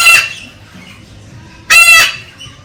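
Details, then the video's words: Harsh, rasping screech of a Galah parrot urging the female to mate, heard once at the start and again as a longer burst near the end, with a faint background hum. "Tweeting Cockatoo Gala parrot stimulates the female"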